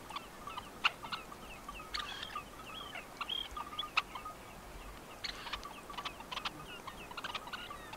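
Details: Red-necked Phalaropes in Tainan, Taiwan, on 20 September 2015, giving short, sharp twittering chips and brief rising notes in loose, irregular bursts over a soft background hiss.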